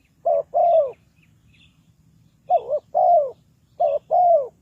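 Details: Spotted dove kept to lure birds into a trap, cooing in low soft pairs: a short note then a longer drawn-out one, with a pause before three further phrases and faint distant chirping.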